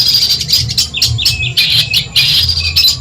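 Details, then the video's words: Long-tailed shrike of Madura origin, used to train songbirds: sharp squeaky notes and downward-slurred whistles mixed with harsh scratchy chatter in short bursts. "Masteran burung cendet Madura asli . Bikin emosi lawan"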